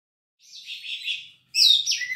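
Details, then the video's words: Oriental magpie-robin (kacer) in full song, showing off mimicked phrases: a short buzzy, chattering phrase, a brief pause, then a louder high, sweeping whistled phrase falling at its end. "BURUNG KACER GACOR NGOBRA SUARA MENGGILA BONGKAR ISIAN,MEMANCING KACER KURANG EMOSI"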